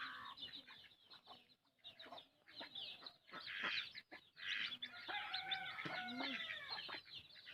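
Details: Hen feeding her chick: low, harmonic clucks and short grunts mixed with thin, high, downward-arching chick peeps in quick, irregular bursts, with soft scratching sounds between them.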